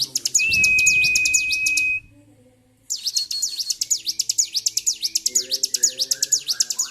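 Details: Bar-winged prinia in agitated song, 26 February 2023. A long flat whistle opens, then a brief silence, then an evenly spaced stream of shrill, rapid notes picks up and continues to the end.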